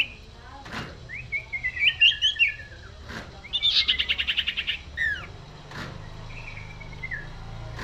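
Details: Common iora (local names cipoh, cipeuw, sirtu) in busy cetrekan singing. Drawn-out whistles glide gently down, and a fast rattling trill of about a dozen pulses follows. Sharp clicks break in now and then over a low hum.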